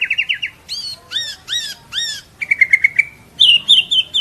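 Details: Short burst of white-rumped shama lure song for coaxing other birds to sing: a fast trill, four loud arched downslurred notes, then quick trilled series at rising pitch.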